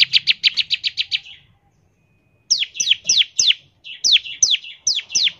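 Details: Lure song of a bar-winged prinia in the 'ngebren' style: a fast run of high clipped chips, a short silence, then spaced high downslurred whistled notes with a buzzy tail.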